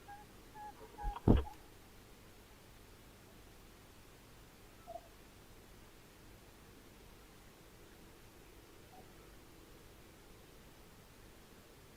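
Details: A single sharp knock near the start, then low steady background hum with no clear animal calls.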